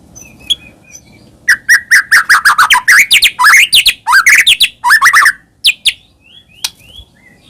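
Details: White-rumped shama song used to stir caged birds to sing: after soft scattered notes, a rapid rhythmic volley of descending and rising whistles, then sparse high slurred notes.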